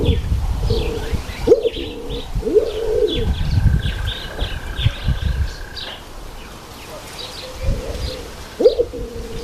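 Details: Speckled pigeon cooing in low, drawn-out moaning phrases, one early run and another near the end, while small birds chirp and twitter higher up and a steady low rumble continues.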